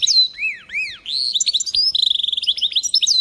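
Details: Goldfinch hybrid singing: opening clear arched whistles sliding down and up, then a fast stream of high twittering notes and rapid buzzy trills, dense and continuous, with no other sounds.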